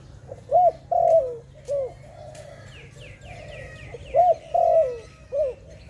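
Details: Dove in a bird-trapping setting repeating a phrase of short, bright, arched coos and one longer falling note, given twice, with faint high chirping from other birds between.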